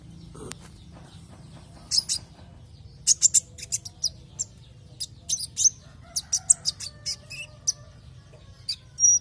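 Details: Javan white-eye lure recording to get other white-eyes to sing: bright high chirps and twitters scattered through the clip, clustering into quick runs, over a low constant hum.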